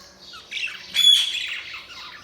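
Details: Budgerigars chirping: a soft scratchy warble, then a louder burst of squawky chatter with a thin sustained whistle near the middle, fading back to quiet twittering.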